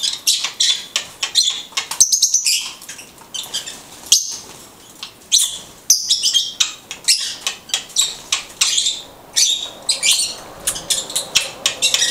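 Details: Blue-headed conure chattering in a long run of sharp, high, clipped chirps repeated several times a second, with brief pauses and no other clear sounds.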